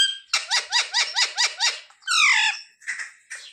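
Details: Talking pet parrot prompted to say "Jai Shri Ram" for Ram Navami: seven evenly spaced squeaky chirps about a quarter second apart, then a longer harsh falling squawk and two short rasps.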